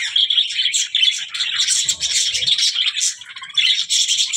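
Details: Budgerigar delivering a rolling flow of high chirps and scratchy warbles, with short whistled accents and a slight dip in loudness near the end.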